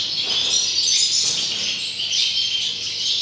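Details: European goldfinches from 2019 pour out a dense, unbroken twitter of high, buzzy notes that blur together, swelling and easing in loudness over a faint low hum.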